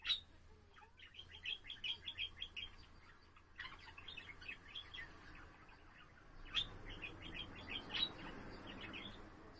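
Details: Pet budgerigar warbling at home, a rapid chattering run of short chirps and clicks bursting in two bouts, with faint low hum in the room.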